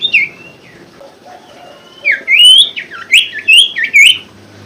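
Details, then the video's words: Common Iora song used to trigger a reluctant caged bird to sing: an opening whistle, soft notes, then a loud lively run of looping, rising and falling whistles. "pancingan sirtu macet bunyi & malas bunyi"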